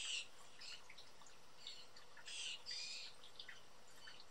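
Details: Young blue jays, four birds looking hungry and energetic, in a backyard with feeders in Southern Ontario, Canada. Harsh, broadband screams come in short bursts, a loud pair near the start and another cluster midway, over a steady background hiss.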